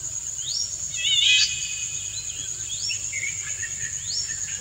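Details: Courting male Indian golden oriole: quick upslurred notes lead into a loud burst of layered notes, followed by several softer rising and falling phrases, all over a steady shrill insect background.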